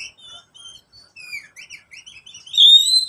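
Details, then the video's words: Pet oriental magpie-robin lure song for quiet caged birds: soft scattered short whistles and twitters, ending in a loud, long, slightly rising whistled note. "Pancingan kacer untuk kacer yang malas bunyi"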